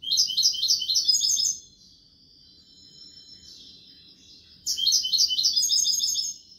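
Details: European goldfinch singing in the style called kubiya malqa: a lively twittering phrase, a soft thin drawn-out note, then another burst of quick liquid twitters.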